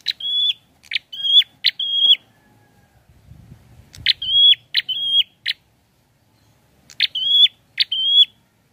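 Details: Repeated prinia phrases: sharp clicks followed by flat, slightly rising whistles, given in bursts of three with pauses, plus brief low rustling in the middle.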